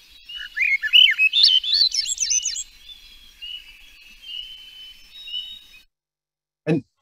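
Swainson's Thrush song: flutelike phrases spiralling upward in pitch over about three seconds, then a faint thin whistle, ending with a single low thump.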